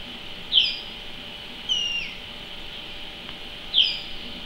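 Common linnet giving three short, thin, high chirps that slur downward, spaced one to two seconds apart, over a steady high background hiss.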